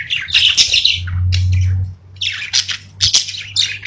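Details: Pet budgerigars, or parakeets, recorded indoors, chirping and chattering in bursts of scratchy, warbling notes, with brief squawks and a low steady hum beneath.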